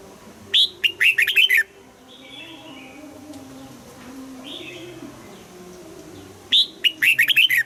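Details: Red-whiskered bulbul singing for morning-song training in double-note 'old forest' style: two loud phrases of six or so rapid, falling whistled notes about five seconds apart, with faint soft warbles in the gap.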